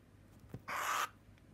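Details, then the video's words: A captive-bred male burrowing owl, indoors briefly from his aviary, gives one harsh, hissing rasp lasting under half a second, loud and noisy across a broad pitch range, in a quiet room, annoyed when his head rub stops. "the burrowing owl gets a head massage and gets annoyed when it stops"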